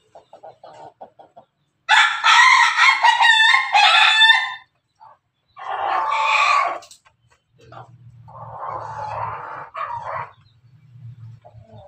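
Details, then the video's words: Pelung chicken crowing in laughing style, recorded 17 May 2024: a loud pulsed burst of rapid, stuttering notes for over two seconds, a second shorter burst, then a softer trailing phrase over a low hum. "ayam pelung Bangkok ketawa"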